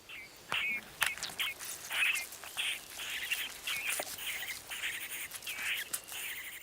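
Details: In Spain, a young great spotted cuckoo raised by carrion crow hosts begs insistently for food with harsh, rasping, high calls in quick bursts about twice a second; faint thin chirps in the background.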